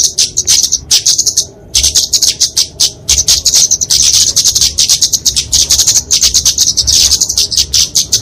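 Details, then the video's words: Kemade flowerpecker, genus Dicaeum, in fighting song used to tutor and lure small birds: an energetic, very high, buzzy chatter of fast ticks, pausing briefly around two and three seconds. "Kicauan Kemade Tarung Untuk Masteran&Pikatan Burung Kecil!"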